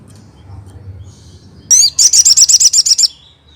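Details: Crested jay, a recording meant to draw an immediate response from other crested jays: after a quiet start, a rising whistled note leads into a fast, high, sharp series of about ten even notes lasting over a second.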